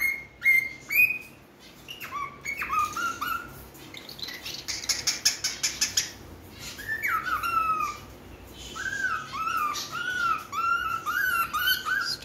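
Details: Pet cockatiel, tame, said to say peekaboo and make kissing noises; a varied stream of whistled chirps, rising and falling notes, with a burst of harsh, scratchy squawks midway and a chattering run of chirps toward the end.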